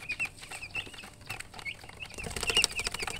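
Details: Baby chicks chirping: short high peeps, some rising and some falling, given singly with gaps at first, then growing denser and louder toward the end amid clicking and rustling.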